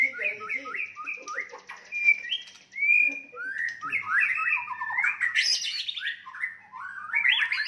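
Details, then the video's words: White-rumped shama fighting song intended to provoke opponents: a fast series of short slurred whistled notes, repeated in runs, building to louder, higher, harsher phrases near the end. "murai batu tarung ampuh untuk menaikan emosi"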